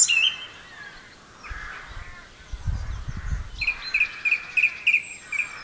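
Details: Song thrush in song, Campbeltown, April 2012: soft warbling phrases, a brief low rumble, then a bright high note repeated five or six times in quick, even succession.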